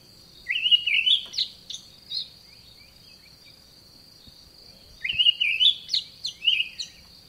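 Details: A garden Olive thrush calls twice, each time a quick run of bright warbled whistles, some rising, lasting under two seconds. Four seconds of quiet separate the runs, with a constant thin high-pitched hum behind.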